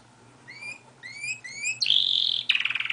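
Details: Pet canary singing outside its cage, as it usually does: three short runs of rising, whistled upslurred notes, then a bright buzzy trill and a final rattling burst.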